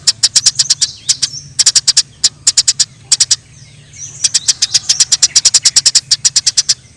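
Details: Eurasian tree sparrows in the wild, fighting: bursts of sharp, high chirps in quick runs, broken by short pauses, with a few thin whistles from another bird and a low steady hum underneath.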